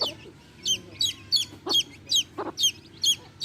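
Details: Baby chicks chirp beside their hen, loud high peeps spaced roughly every third of a second, mixed with a couple of short low clucks and faint background hum.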